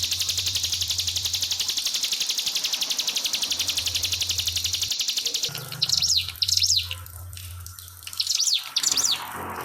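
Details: Pied fantail song with trickling water added: a long, fast, evenly pulsed high trill for over five seconds, then paired sharp rising-falling whistled notes in short bursts, all over a steady low hum.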